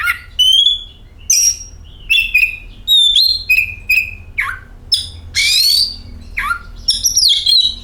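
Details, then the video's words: Lure recording of an oriental magpie-robin: clear sustained whistles, fluty slurs and scratchy bursts mixed into a varied continuous song, accompanied by a low droning hum. "Pancingan Kacer"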